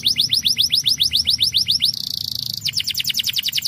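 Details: Canary song for stimulating birds: steady rolling tour of repeated falling whistles, broken by a short buzzy high rattle, then resuming with quick repeated sweeps.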